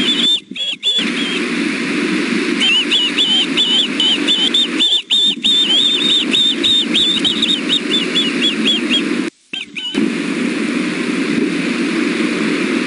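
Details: Three osprey chicks at the Wolf Bay nest in Alabama, 5 July 2016 at 6 pm, give rapid, high whistled chirps in a steady series, food-begging while one chick bites at its mother.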